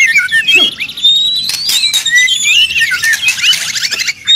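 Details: White-rumped shama in loud, continuous song meant to provoke songbirds to answer, with high thin whistles over dense chattering and buzzy rattles, and a short break near the end.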